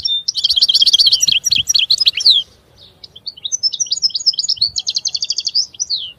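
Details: Goldfinch song in two long phrases of fast, bright twitters and rattling trills, separated by a brief lull; soft low background rumble throughout.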